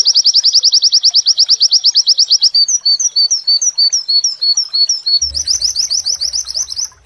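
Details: White-eye training song, a 'wit wit' song joined with mantenan phrases: a long run of rapid, evenly spaced high shrill notes, then slower slurred whistles, then a fast high trill again with a low hum entering.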